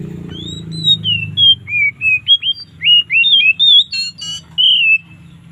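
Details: Oriental magpie-robin singing a relaxed, loud varied song in the afternoon: clear whistled phrases sliding up and down, broken by short pauses, ending in a bright rising whistle over a low steady hum.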